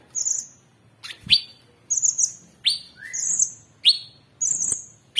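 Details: Cucak cungkok, Orange-bellied Leafbird, caged, in 'tembakan' master song: very high buzzy phrases alternate with sharp downswept notes and one short low whistle, each unit coming roughly every half second.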